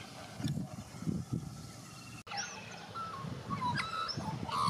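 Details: Australian white-backed magpie warbling in Australia, a young bird learning song. Quiet at first, then a cluster of clear whistled notes, upward slides and sharp flicks fills the second half. Low rumbling noise sits beneath.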